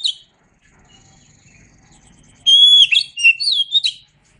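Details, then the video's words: Oriental magpie-robin in a tutor recording: a short chirp, a pause with faint low background rumble, then a long pure whistle followed by quick, twisting whistled notes and chirps. "Masteran Suara Kacer"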